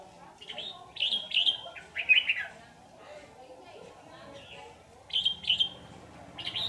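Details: A trapped red-whiskered bulbul, afterwards set free, sings lively warbling phrases in two bursts, the first in the opening seconds and the second near the end, separated by a quieter pause with faint background noise.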